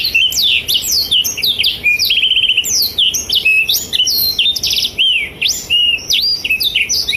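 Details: Black-throated canary (Blackthroat) singing actively, used as tutor song for young and adult canaries: a dense, rapid stream of high varied notes, slurred whistles, sharp upsweeps and short buzzy trills, barely pausing.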